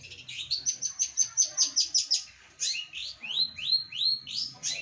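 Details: Full 'gacoran' song of a trained long-tailed shrike: a rapid series of sharp high chips, about a dozen, then a run of clear rising upslurred whistles, all loud and close.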